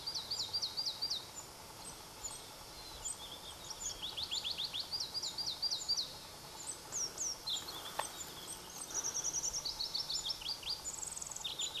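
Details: Pallas's leaf warbler singing near Erdenebulgan, Khovsgol Aimag, Mongolia, in July, one of two males recorded: rapid high trills and repeated upslurred notes in bursts, with sharp chips between phrases and faint background hiss.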